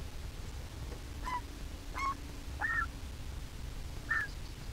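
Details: Griffon vulture nestling, hatched 22 April 2021, preening its feathers at the nest on a nest camera in Israel; four short, faint, harsh notes with bending pitch, about one a second, over a steady low hum.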